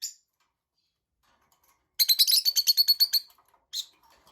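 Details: Tamed lovebirds: an isolated high chirp, then a dense rapid chatter of a dozen harsh, piercing notes, and one more sharp chirp after a short pause.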